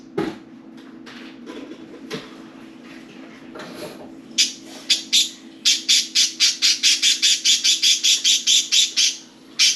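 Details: Four pet budgies playing and talking inside and on top of their cage; after quiet rustling, a rapid run of sharp, bright chirps repeats about six times a second, ending abruptly over a steady low indoor hum.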